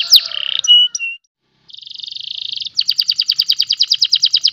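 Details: Caged canary from Pemalang, Central Java, Indonesia, singing: opening sliding whistles and a short held note, a pause, then an even buzzy rattle and a fast run of repeated bright chopped notes about five a second.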